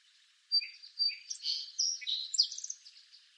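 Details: Song sparrow, eastern North America, delivering a full song: sharp repeated introductory notes, a buzzy middle section and varied chips ending in quick high notes.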